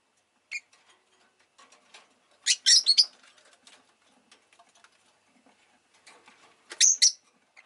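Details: Rosy-faced lovebird, Agapornis roseicollis, giving two loud clusters of grating, high chirps about four seconds apart, with soft rustling and scattered clicks between. The recording is stated to include town noise such as engines and bicycles.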